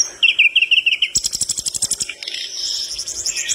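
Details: A vigorously singing flycatcher that makes other birds respond gives a warbled run of whistled notes, then a fast dry rattling trill of about a dozen beats, fading into high twitters.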